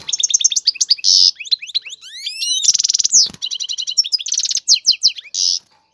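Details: Male European goldfinch in a cage singing powerfully to get a female to mate and nest: dense, loud twittering mixed with buzzy rasps, rising whistled glides and rattling trills, almost without pause.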